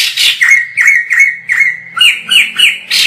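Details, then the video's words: White-crested laughingthrush in full song at a distance: four even, downslurred whistles in a steady beat, then three higher, sharper notes, over a faint steady low hum. "POKSAY JAMBUL GACOR FULL"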